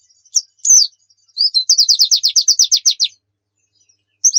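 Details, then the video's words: Javan white-eye (pleci) singing a bright, very high trill of about twelve even, slurred notes over roughly a second and a half, preceded and followed by single sharp whistled chirps, in a clean recording. "Pancingan PLECI Bikin Cepat GACOR | Suara Burung"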